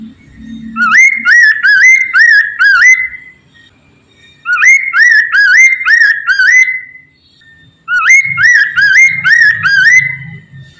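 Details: Poksay mandarin laughingthrush song meant to prompt other birds to sing: three evenly spaced phrases of five or six fast, climbing whistles, each settling into a long level note, with a brief low hum at the start.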